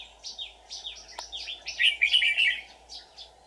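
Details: Red-whiskered bulbul, a decoy bird singing a fighting song on 24 July 2019 to lure wild bulbuls into a trap. It gives quick bright whistled and slurred phrases, some falling, in a busy run, over a steady low hum.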